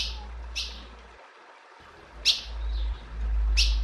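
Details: A female ultramarine grosbeak calls with four brief, sharp high chips, the last two louder, against hiss and intermittent low rumble.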